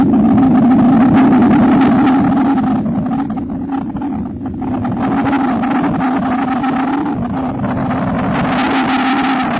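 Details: Steady droning engine noise, like a motorboat or vehicle running nearby, with no animal calls.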